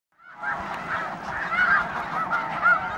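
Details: Snow Geese at the Hayton Snow Goose Reserve in the Skagit Wildlife Area near Conway, Washington: a dense chorus of overlapping nasal honks rises after a brief silence and keeps up steadily, with some louder individual calls near the end.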